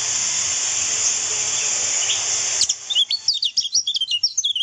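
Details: Lemon-bellied white-eye song used as a training recording for other songbirds: after nearly three seconds of steady loud hiss, rapid high chirpy twittering notes in quick bursts fill the last two seconds.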